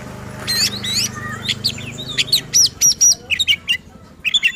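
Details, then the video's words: Agitated oriental magpie-robin song meant to provoke rival kacer birds: a fast run of high sweeping whistles, then a string of sharp repeated chirps and upslurred notes, with faint low humming underneath. "Burung Kacer Gacor Ngotot dan Emosi Suara Menggila Bongkar Isian."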